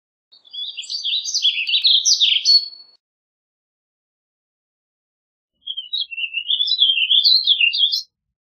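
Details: Two separate warbled phrases from a warbling vireo, each lasting two to three seconds. They are made of quick, buzzy-edged, tumbling high notes and are separated by several seconds of silence.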